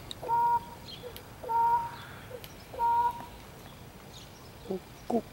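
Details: Crow warbling when another crow arrives, recorded live: three short clear whistled notes about every one and a half seconds, each with a lower tone beneath, then two brief harsher notes near the end over a quiet background.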